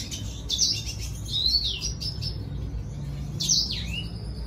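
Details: A red siskin sings to draw a female, opening with rapid high chirps, then a long downward-sliding whistle, and after a pause a loud swooping note, over low hum.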